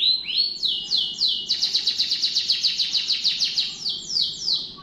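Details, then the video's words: Canary song opening with two rising whistled notes, then a long, fast, even trill of rapid repeated buzzy notes, ending with slower sweeping phrases. "٣٠ دقيقة تغريد مستمر ورائع مهما كان نوع الكناري خاصتك سيبدء بالتغريد"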